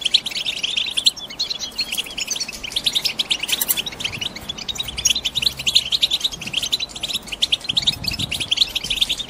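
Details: Caged female European goldfinches, ready to mate and lay eggs, keep up a dense high twittering chatter meant to excite a male into singing; clipped chirps pour out without pause across the recording.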